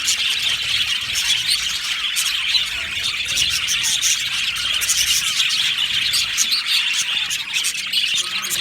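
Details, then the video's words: Crowded budgerigar aviary, continuous shrill chirping and chattering from a large colony, a steady busy chorus without breaks. "Happy Budgies chirping sounds | Budgies sounds"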